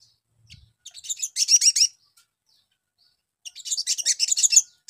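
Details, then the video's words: Sogon, a small songbird, on a fast-response lure recording: two bursts of high, rapid, twittering chirps, each about a second long, separated by a short quiet pause. "PANCINGAN SOGON BAHAN CEPAT NYAUT"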